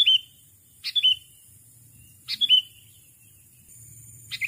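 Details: Sooty-headed bulbul calling to lure a rival: two short bursts about 1.5 seconds apart, each a sharp high chirp followed by a bright, slightly falling whistled note, with a faint low hum beneath.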